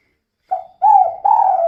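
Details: Calling female spotted dove, used as a lure to set other doves singing; a soft note, then two longer, drawn-out hollow coos, the last held and steady.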